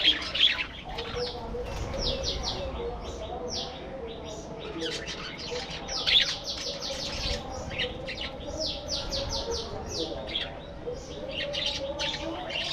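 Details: Budgerigars kept as a breeding colony in an aviary give many rapid, sharp chirps that rise and fall in quick clusters, with softer warbling and a faint hum behind them.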